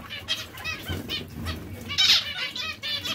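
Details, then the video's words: Short burst of zebra finch chatter from breeding pairs: quick nasal, buzzy notes in close succession, one louder bright call near the end, with faint fluttering. "Diamante mandarino/coppie riproduttive"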